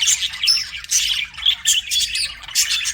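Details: A lively stretch of budgie chirping: rapid, overlapping high warbles and squeaky notes pulsing in short loud bursts about every half second.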